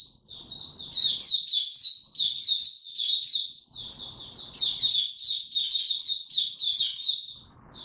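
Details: Sustained high twittering from a caged Oriental white-eye in ramped-up form, recorded 3 January 2022, with rapid chirp sequences running almost without pause and faint low rustle beneath.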